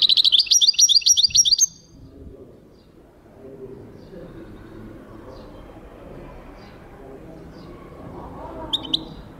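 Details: Goldfinch song, 2023: a fast, tinkling trill of repeated high notes for nearly two seconds, followed by a long stretch of faint low background noise and one brief final note.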